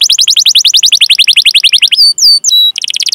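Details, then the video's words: Canary in full gacor song, a long cuit-cuit rolling master recording meant to spur young or silent canaries into singing: a rapid run of high downslurred chirps, then a few pure drawn whistles, ending in a fast buzzy trill. "Suara Burung Kenari Gacor Panjang cuit cuit Ngerol"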